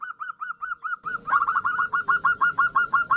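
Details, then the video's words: Lure call of a female local zebra dove summoning a male: evenly spaced curved whistled notes, then a louder, denser continuation with a hissing background while the notes keep repeating at roughly three a second. "Suara Perkutut Betina Memanggil jantan AMPUH untuk Pancingan"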